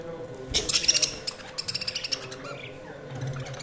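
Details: Budgies chirping: a dense burst of high, sharp chirps and twitters in the first two seconds, then scattered quieter chirps and soft warbling notes with a low background hum.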